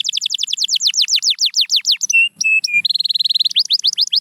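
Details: Canary singing, used to prompt silent canaries: a quick series of falling whistled sweeps, three steady flat whistles, then a brisk buzzy trill.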